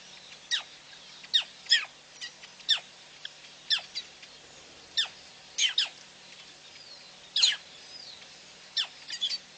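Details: Female black crake at PP, 9/6/11, giving a loose series of short, high, downward-slurred notes, some doubled or clustered, at irregular intervals against a quiet background.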